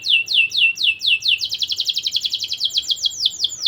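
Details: Lively canary in song, used to stir young canaries. Slow down-slurred whistles quickly become a dense, fast trill of bright notes, then slow again into spaced falling whistles.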